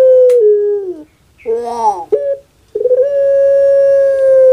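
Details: Kept puter pelung dove giving its anggungan cooing song: a short level note sliding down, a rough rolling harmonic-rich middle phrase, a brief note, then a long steady held tone of about one and a half seconds.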